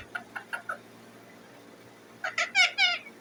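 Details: Pet Indian ringneck parakeet: four quick soft chirps, a pause, then three loud, drawn-out grating squawks.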